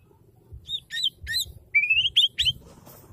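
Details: Female white-rumped shama giving chirpy, slurred notes: several short sweeping chips, then a longer rising whistle and a few quick bright notes, repeated rapidly over faint low background noise.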